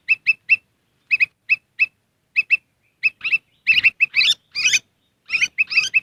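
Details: Black-crested bulbul lure sound for attracting wild birds: steady series of bright doubled chirps that builds into a louder, rougher burst of overlapping notes midway before returning to paired chirps.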